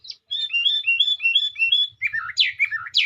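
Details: Melodious sooty-headed bulbul song: smooth rolling series of rising whistled notes about three per second, followed by louder falling slurs and sweeping upward notes.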